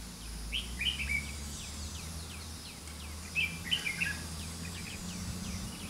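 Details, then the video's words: Red-whiskered bulbul used as a decoy in a fighting trap, singing to challenge and lure rivals, recorded 30 June 2016: bursts of quick, bright chirped and warbled notes in two clusters, over steady low hum and background hiss. "Bẫy đấu chim chào mào lân tê"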